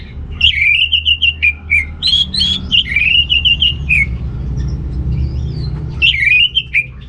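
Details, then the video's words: Orange-headed thrush delivering fast warbled phrases of rolling, fluty notes, each run lasting about a second with brief pauses, sung to stimulate males lacking breeding drive; low hum underneath. "ANIS MERAH Gacor Untuk Pancingan AM Jantan yang Kurang Birahi"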